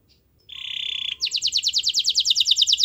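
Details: Lively, persistently singing canary, used as a lure to prompt a silent canary into song: a steady buzzy high note, then a rapid run of bright descending trilled notes repeated about nine times a second.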